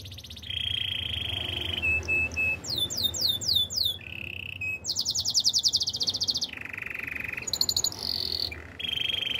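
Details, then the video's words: Spanish Timbrado canary singing a varied song of high rolling trills and tours, switching between steady buzzy rolls and fast repeated down-slurred whistled notes, with a low background hum. "Spanish timbrado canary singing"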